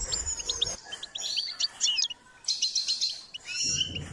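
A goldfinch sings a rapid, high, tinkling run of twittering notes and short buzzy trills, with a brief low rumble of background noise.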